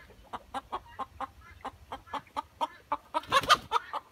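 Ayam Cemani hens cluck in a steady run of short, clipped notes about four per second, ending in a louder, harsher burst of squawking.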